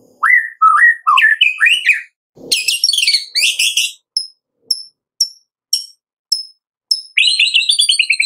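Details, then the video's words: White-rumped shama (murai batu) afternoon 'tembakan' for provoking another shama to sing: bouncing looped whistles, a dense chattering burst, evenly spaced high ticks, then a rapid descending trill. "TEMBAKAN MURAI BATU Sore Hari 100% AMPUH buat Pancingan murai batu pastol agar bunyi"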